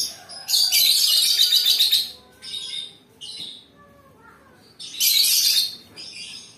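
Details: Lovebird giving two bursts of dense, shrill, buzzy chatter, the first lasting about one and a half seconds and the second shorter, separated by quieter short chirps and pauses.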